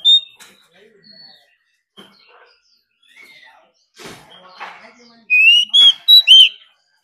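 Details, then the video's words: Oriental magpie-robin, a wild-caught bird roused to sing in competition: scattered faint notes and soft voice-like sounds, then a burst of four loud, clear, slurred whistles at the end. "Choè than hót đấu déo bổi.kích bổi hót căng.đấu cả ngày.nghe là hót"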